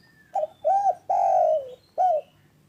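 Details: Clear, mellow calling from a spotted dove kept to encourage other doves to call. It gives a stuttering short note, a rounded coo, a long drawn coo that slowly drops in pitch, and a final short arched coo.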